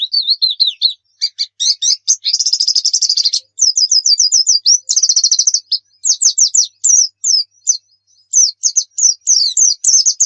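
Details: Long, lively Javan white-eye song mixing buzzy high trills, dense chattering runs and series of clear down-slurred chirps, with short pauses between phrases.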